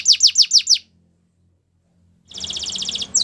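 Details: Belgian canary training song: five loud descending whistled sweeps in quick succession, a pause of silence, then a fast buzzy high trill and a final downslurred note, faint low hum underneath.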